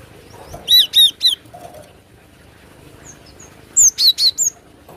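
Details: Cinereous tit lure song with three strong ringing slurred whistles rich in overtones, a pause, then a second phrase of four sharp descending whistles.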